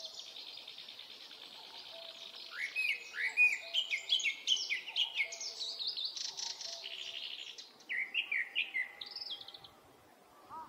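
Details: Japanese thrush song from a Hokkaido woodland in early summer, recorded on a Nikon Coolpix P950: a fluent, varied stream of sliding whistles and chattering trills, with low soft tonal notes from another bird beneath.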